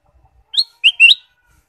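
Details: Ruby-throated bulbul, used to stimulate caged birds: one quick, bright whistled phrase of three notes, a rising first note followed by two lower slurred notes in close succession, clean with no background sound.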